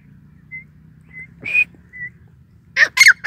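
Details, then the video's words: Grey francolin, known locally as Sindhi teetar, calling: soft high whistled notes spaced apart, then a loud cluster of harsh, shrill bursts at the end over a low steady hum. "sindhi teetar ki awaz | Sindhi Teetar | irani teetar | gray francolin calling"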